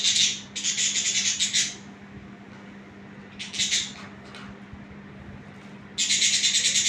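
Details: Pet budgerigars giving harsh, scratchy chattering bursts in quick runs, with pauses between.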